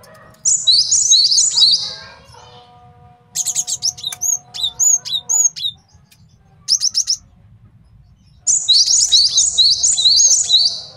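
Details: High rasping trill from a male cinereous tit, used to train songbirds and attract wild birds, followed by spaced sharp chip notes, a short burst of chirps and a final buzzy trill.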